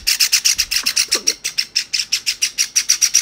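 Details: Pet Java sparrow chicks, a white and a cinnamon-grey, begging from each other instead of feeding themselves: rapid high harsh chips repeated about five or six times a second, steady and insistent, with faint rustling.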